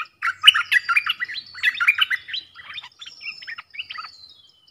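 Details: Lure song of a stripe-throated bulbul, used to attract birds for trapping, recorded at point-blank range on 10 October 2021: loud rapid run of bubbly, warbled chattering notes, then softer broken phrases and a thin high whistle fading out.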